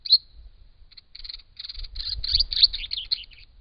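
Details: Wild brown treecreeper at a pond in regional Victoria, Australia, caught by a camera trap while visiting water to drink and bathe; high sharp chirps arrive in quick clustered bursts, with low rustling and splashing underneath.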